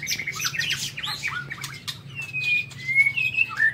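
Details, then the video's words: Aviary-kept white-rumped shama singing in the morning: a scratchy, jumbled run of notes with clicks, then a series of long, clear, level whistles in the second half. "Tiếng Chích Chòe Lửa độc lạ hay"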